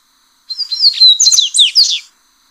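A yellow-bellied seedeater sings a quick, high phrase of sliding whistles and buzzy notes, lasting under two seconds, against a silent background.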